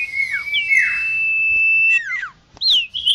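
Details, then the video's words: Lure recording of a common iora, used to draw in wild birds: clear, drawn-out high whistles held for over a second, broken by swooping downslurred notes and a final rising note. "Suara pikat burung Sirtu/Cipoh Suara jernih mantap"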